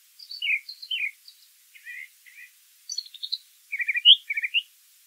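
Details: Song of a brown thrasher in nature, delivered as doubled phrases: paired high slurred notes, then raspy buzzy pairs, and a rapid run of chirps ending on a bright high whistle.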